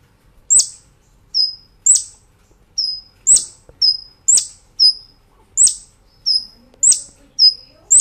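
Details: Brown-throated sunbird in lively 'nembak ngerol' singing style, recorded as a master track for training cage birds: very high, sharp, piercing notes alternating with slightly lower slurred whistles, roughly two per second, clean and quiet background.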